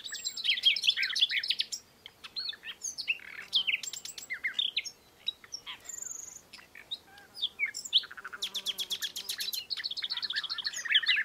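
European bee-eaters calling in a busy chorus of rolling, liquid 'prrip' trills, bright and overlapping, repeated almost without pause.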